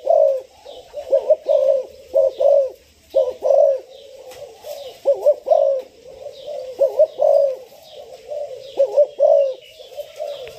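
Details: Spotted dove of six months, newly ready for training as a decoy, repeats hollow, rolling coo phrases in quick clusters, with a brief lull around the middle before stronger doubled coos resume; faint high bird chirps behind.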